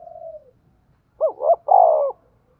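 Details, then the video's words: Decoy spotted dove giving a lure call for trapping: a soft falling coo fades out, then after a pause come two sharp rising hoots and a long, loud, gently descending coo. "tiếng cu gáy mồi chuẩn gáy gọi và THÚC dùng kích bổi"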